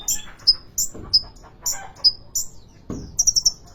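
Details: Caged sunbird at a Depok bird market: sharp high chirps alternating with thin whistled slurs, ending in a quick run of four clipped notes, with dull thumps and knocks in the cage.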